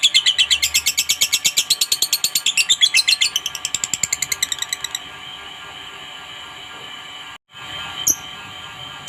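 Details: Lovebird ngekek, a long chattering bout used to provoke a rival into answering. A fast run of high, rasping pulses lasts about five seconds, then stops and leaves a few sharp chirps over a steady indoor hum.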